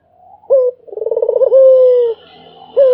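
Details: A Barbary dove coos without pause: a clipped rising note, a fast pulsing roll, and a long, steady, slowly sinking coo, then another clipped note begins.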